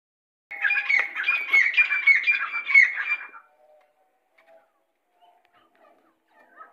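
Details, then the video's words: A Grey francolin (Irani teetar), a bird kept for its voice, gives a loud, harsh, rapidly repeated squawking call for about three seconds, then near silence with a few faint background noises. "Irani teetar ki awaz || beautiful Teetar voice || Teetar sounds"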